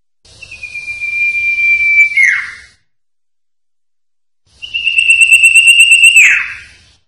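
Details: Common Iora, Sertu type, master song recording: two long, level whistles about two seconds apart. Each ends in a quick downward slur, and a low background rumble runs under them.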